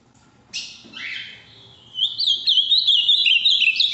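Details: Ultramarine grosbeak from the Minas region, a big, strongly blue bird with a firm song. A couple of harsh rising sweeps come first, then a fast, steady string of high warbling notes to the end.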